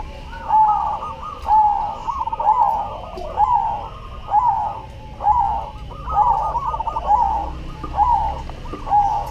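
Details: Cemani zebra dove in full song: a mellow, bubbling coo phrase of quick stuttered notes followed by a longer tone, repeated steadily about once a second, with a faint steady hum in the background.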